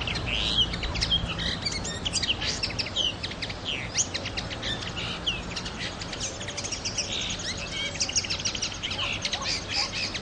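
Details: Common linnet song: a continuous fast twittering of short chirps and buzzy trills, with quick high notes tumbling one after another for ten seconds over a steady hiss of background noise.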